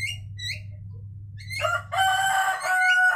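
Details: Asian pied starlings singing to each other: short nasal, harmonic squawks and whistles, then a louder burst of harsh overlapping notes with a sustained whistled tone near the end, over a low steady hum.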